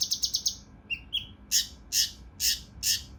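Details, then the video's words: Mountain leaf warbler (cucak rante mas), harsh dense 'tembakan' style for training competition birds: a quick stutter of five high notes, two thin whistled slides, then four loud, harsh, evenly spaced blasts. "TEMBAKAN KASAR RAPAT UNIK | SUARA CUCAK RANTE MAS UNTUK MASTERAN BURUNG LOMBA"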